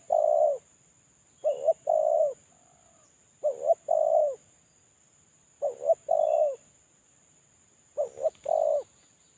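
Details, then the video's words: Spotted dove used as a lure bird, a captive decoy calling alone while moulting; low hollow cooing in paired notes, a short coo then a longer one, repeated about every two seconds, five phrases, over a steady high-pitched electronic whine. "Suara terkukur suara pancingan terkukur"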